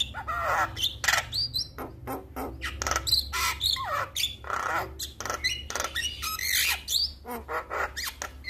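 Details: Male Javan myna calling its companions: a rapid jumble of harsh, raspy squawks, clicks and short whistles, several per second, with a constant low background hum.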